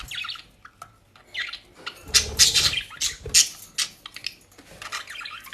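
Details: Pet budgerigars in the Netherlands feeding on dry leaves and grass: crackling rustle of the leaves mixes with rapid, harsh chirps and squeaks, loudest in the middle of the clip.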